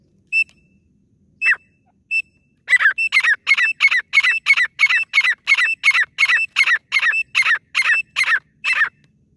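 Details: Female grey francolin, a local desi teetar, in a hunting lure recording: a few spaced whistled notes, then a loud, fast run of harsh repeated notes, about three per second.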